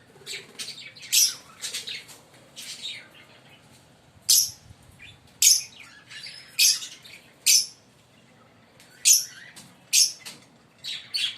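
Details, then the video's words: Green Fischer's lovebird pair giving scattered sharp, high chirps, single or in short clusters spaced about a second apart, with quiet gaps between and faint softer twittering underneath. "Lovebird singing & Chirping Sound 5 Minute - Green Fischer pair"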